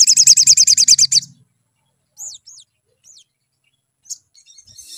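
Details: Sunbird lure song meant to make birds sing: opens with a rapid series of high buzzy notes over a low hum, then silence broken by a few thin descending whistles and chirps.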